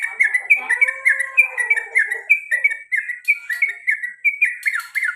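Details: Male sooty-headed bulbul kept as a pet, giving a long rolling 'cuk cuk cuk' series: rapid short bright chirps about three per second, with lower drawn-out downslurred whistles overlapping early on.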